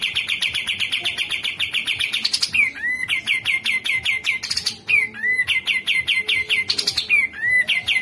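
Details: Grey-cheeked bulbul in a masteran tutor recording: rapid series of sharp, repeated chirps around every 0.1 s, interrupted three times by louder rising bursts and down-slurred whistled notes, at an even loudness.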